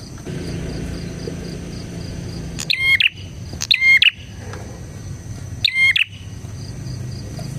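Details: Bar-winged prinia singing energetically, its song meant as a lure and master song for prinias: three sharp, ringing chirp bursts after a quiet start, over a low rumble and a faint steady high drone.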